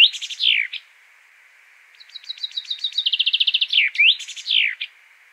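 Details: Common chaffinch singing: after the falling end of one phrase, a fresh phrase of rapid repeated high notes that speed up and grow louder, closing with a bright downward-sweeping flourish; no other sounds intrude.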